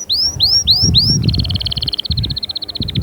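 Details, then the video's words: Canary song meant to spur young birds to sing and ready females for breeding: four rising-falling whistled notes, then a rapid even trill, then a softer rattling roll, over low background rumble. "غناء وتحفيز خرافي لأجبار الفروخ على التغريد وتجهيز الأناث فورا جربهاcanari bird singing"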